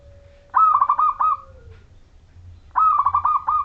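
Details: Zebra dove (perkutut majapahit) singing a clear song used to lure other zebra doves into singing: two bursts of mellow, rapidly pulsed cooing phrases, each about a second long, with a faint steady tone between them.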